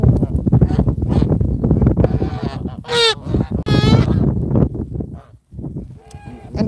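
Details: An adult Canada goose, one of 17 hand-raised geese, gives two loud, nasal honks about a second apart over low murmuring, shuffling noise and a man talking.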